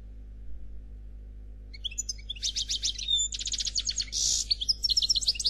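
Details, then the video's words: Flawless song of a European goldfinch, Noir Khalwi type. After about two seconds of quiet, bright tinkling notes and fast chattering phrases begin, with a short buzzy burst and clipped twitters. "Chardonneret Noir Khalwi Chant sans fautes"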